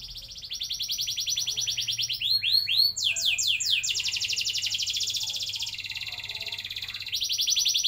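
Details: Canary lure song for young birds learning long rolls: a sustained shimmering high trill, then a burst of quick downward-swept whistles, then more long rolling trills at changing pitches.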